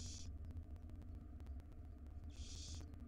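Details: Young barn owls, five wild owlets in a nest box being fed breakfast by the mother; a short hiss at the start, then a longer rasping screech two seconds later, over low humming noise.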